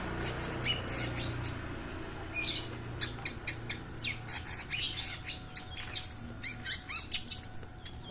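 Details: Cendet (long-tailed shrike) heard at a local gathering; scattered harsh notes building into a rhythmic series of sharp high chirps and short whistles toward the end, over a low hum.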